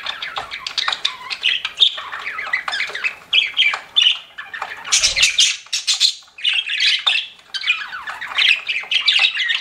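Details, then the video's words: Several pet budgerigars chatter without pause in a dense stream of scratchy warbles, squeaks and sharp chirps, overlapping in a busy, high-pitched jumble. "CUTE PET BUDGIES CHIRPING"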